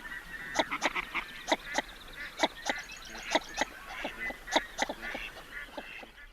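Northern Shoveler giving short, hollow, nasal notes in a loose series, roughly one per second, with softer duck chatter behind.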